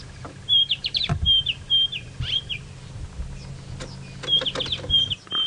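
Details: White-browed scrub robin (Cercotrichas leucophrys), heard but not seen at sunrise around 6 AM on 29 August 2017 in Djuma Game Reserve, Sabi Sand, South Africa, sings clear, high whistled phrases of short repeated notes in two bursts, with low vehicle rumble behind.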